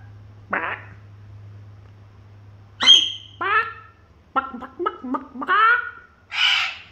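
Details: Princess parrot acting like a clown: a varied run of short harsh squawks, chattering notes and a rasping screech, with a steady low hum underneath.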